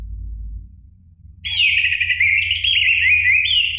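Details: Orange-headed thrush song, a recording played to provoke a caged bird into singing; about 2.4 seconds of rich, continuous warbled phrases at high pitch over a low steady hum, preceded by quiet background noise.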